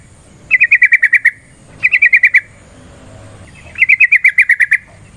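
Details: Yellow-vented bulbul (trucukan) in a long fighting-style lure song meant to make another bulbul sing aggressively: three bursts of about eight quick, sharp chattering notes, each burst separated by short pauses.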